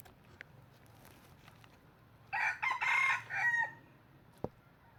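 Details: Red junglefowl used as a trapping decoy, crowing. One full harsh crow lasts about a second and a half, in several choppy segments with a drawn-out falling tail. Faint clicks and a sharp knock come before and after.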